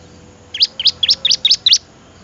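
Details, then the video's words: Six quick, bright, high-pitched chirps from a bar-winged prinia, given in a brisk even rhythm over about a second, in a recording made to train other birds. "suara Merdu burung Ciblek cocok banget buat masteran"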